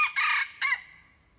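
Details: Hybrid red junglefowl crowing: a short, clipped crow of two harsh, loud syllables, the second brief and falling, ending abruptly in a quiet background.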